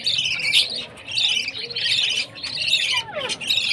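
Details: Baby budgerigars beg at feeding time with rapid, buzzy, high chirps in bursts about every second, a scratchy chatter with brief pauses between bouts.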